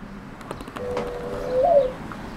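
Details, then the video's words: Mourning dove, a new resident, giving a soft, low coo: a long steady hum that swells into a brief upward lift and falls away near the end. Faint background hum and a few clicks. "morning dove"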